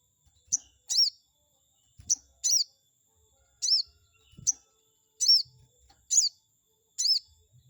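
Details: Chestnut-backed scimitar babbler played to provoke a rival bird: high, sharp chirps in quick pairs, each pair about a second apart, steady and clear with faint low clicks in the background.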